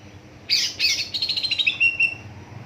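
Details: Lure song of a greater green leafbird meant to make raw young birds sing along: a burst of harsh, buzzy high notes, then a quick pulsing twitter fading into thin whistles.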